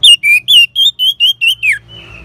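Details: Orange-headed thrush ngeban song, used as a lure for caged birds: eight loud harmonic whistled notes in an evenly spaced run, each slightly rising or level, the last swooping down, followed by a faint thin whistle.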